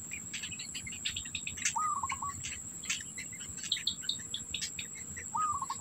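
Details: Black bittern at the nest holding food for the young. Two stuttered calls, each a quick rising note trailing into rapid pulses, sound roughly three and a half seconds apart over lively bird twittering and a high insect hum.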